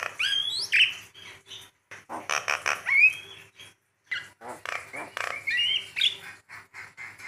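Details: Javan myna, used as a tutor and lure recording: a steady mix of rasping squawks and short slurred whistles that chatter on with only brief pauses.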